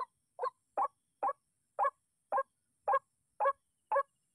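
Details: White-breasted waterhen reacting to a bird-trapping decoy, calling in a monotonous string of coarse squawks spaced about half a second apart, nine notes with a brief gap midway.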